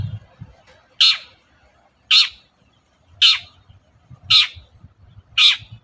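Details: Morning calling of a long-tailed shrike used as a lure to provoke other shrikes into answering; five rasping, scratchy notes repeated at a steady pace roughly every 1.1 seconds, with faint low background noise.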